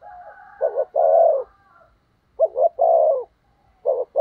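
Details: Spotted dove kept as a decoy for luring wild doves. It gives two full low coo phrases, quick double notes then a sustained hollow coo, and a third phrase is just starting.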